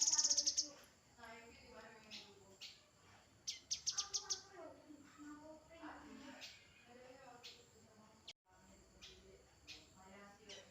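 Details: Grey-headed canary-flycatcher singing: an opening burst of very high, rapid trilled notes, then a second quick high trill, with softer scattered chirps and faint other bird notes filling the gaps.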